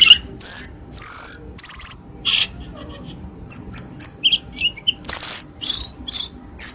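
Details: Bursts of high piercing whistles from a cucak keling, interrupted by short chips and harsh noisy notes. Meant as a lure to get pet birds singing.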